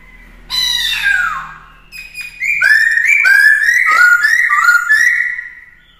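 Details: Black-throated laughingthrush, a kept songbird being trained to sing in many voices; a slurred descending whistle, then a run of loud, rich whistled notes with slight rises and falls near the middle of its range, fast and irregular.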